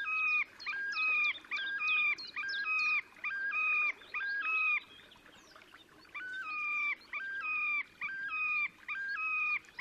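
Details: Terek sandpiper in song display at Lipovaya Gora, Oka Nature Reserve, Russia, 30 April 2019: a long run of ringing stepped whistles, roughly one per second, broken by a brief pause before the rhythmic series resumes; faint rustling background.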